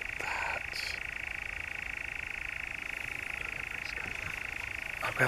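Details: Monotonous reeling churr from a European nightjar in the Brecks, Norfolk, July 2017, running throughout at an even pitch with faint scattered clicks and a short burst at the end.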